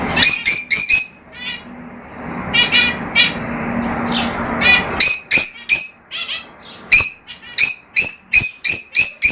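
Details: Several lovebirds give piercing, rasping squawks, fast bursts at first, a quieter stretch of buzzy chatter, then loud shrill calls repeated about every half second.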